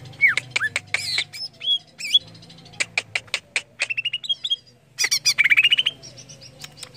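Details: Greater green leafbird pouring out mixed song to prompt other leafbirds to sing, looping whistles, rapid clicks and a climbing chain of short notes near the end, with a faint low hum.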